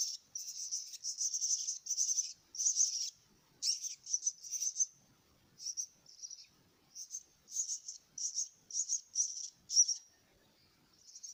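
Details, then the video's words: Young mynas begging during feeding: runs of shrill, buzzy, hissing bursts, long at first, then shorter and more spaced, with faint soft rustling underneath. "kasih makan anak burung jalak"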